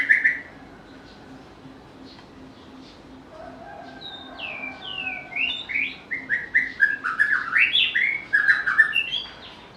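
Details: After an opening whistle and a quiet gap, a White-rumped shama launches into a rapid, varied phrase of bright slurred whistles. The notes rise in intensity and tumble over one another.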